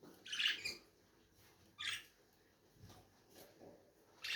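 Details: Lovebirds giving a few harsh, shrill chirps at irregular intervals, with one squawk early and fainter bursts after it, against a quiet indoor background.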